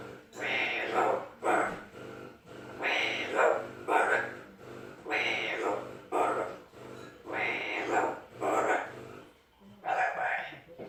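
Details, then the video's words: Talking Amazon parrot, credited with some 40 phrases and singing, repeating one short phrase again and again in hoarse, buzzy word-like bursts, roughly one every second or two across the stretch. "Outspoken Amazon Parrot"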